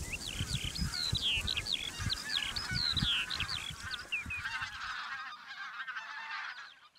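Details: Geese flying from feeding fields to a lake for the day at a migration stopover in Khakassia; sharp, upward-flicking yelps in rapid overlapping series, easing into a softer distant murmur of calls toward the end.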